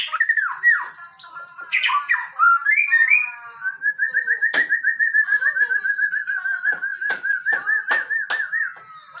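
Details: Male white-rumped shama kept by songbird hobbyists in Indonesia, singing in full voice: varied whistled phrases and rising slurs, then a long fast pulsed trill at steady pitch with high buzzy overtones, strong pulses roughly every third of a second.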